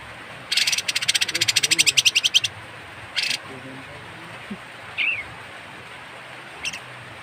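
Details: Harsh call of a kapas tembak bird, used as tutoring material for songbirds: a two-second grating rattle followed by a brief harsh burst, then scattered faint chirps over quiet hiss.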